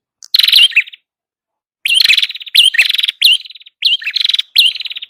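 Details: Buzzy, rattling song of a red-headed prinia used to lure birds: a lone opening phrase, a pause of about a second, then four closely repeated chirp-and-trill phrases.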